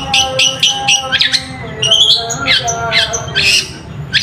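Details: Long-tailed shrike sound used as a lure to rouse lazy, silent shrikes into answering song. Harsh, squawky, chattering notes come in quick bursts of about four per second. Scratchy rising and falling sweeps follow, over a low background rumble.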